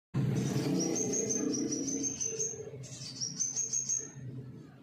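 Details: Scarlet minivet song, meant to prompt untrained captive birds to start singing: thin, high whistled notes in quick even runs, two bursts separated by a short pause, over a low rumbling background.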